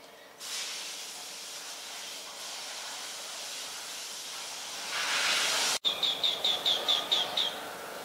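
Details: An adult chestnut-headed bee-eater (Merops leschenaulti) in Ubon Ratchathani, Thailand, on 13 February 2021 gives about eight short, high, rolling chirps in quick succession after several seconds of loud steady hissing. Finding: Chestnut-headed bee-eater.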